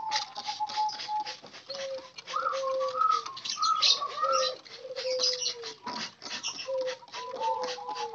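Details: Caged spotted doves, wild-caught and housed as a group, kept for daily care so they call freely: repeated mellow coos sliding downward in pitch, with a few higher rising whistled notes and constant busy chirping from other birds.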